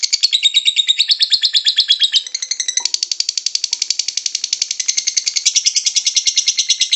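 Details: Lovebird in ngekek chatter, a sound used to coax lovebirds into song: dense rapid buzzy pulses in a high band, changing texture after two seconds into a thicker, harsher continuous rattle.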